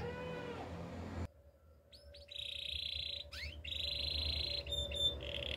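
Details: Spanish Timbrado canary song for training, fairly quiet. A soft low sound opens, then a pause, then buzzy trilled rolls with sliding notes and higher metallic phrases.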